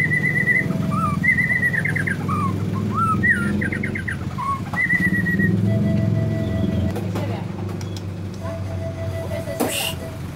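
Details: White-rumped shama, said to be easily agitated, delivering quick trilled and whistled phrases with fast warbling notes for about five seconds, then fading to sparse faint notes, with a steady low hum and a sharp knock near the end.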